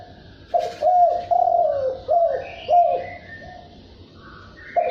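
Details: Spotted dove, field bird, cooing in the thúc bổi and gù calling styles: low hoarse coos in a repeated phrase of four or five notes, with faint higher chirps from other birds in the background.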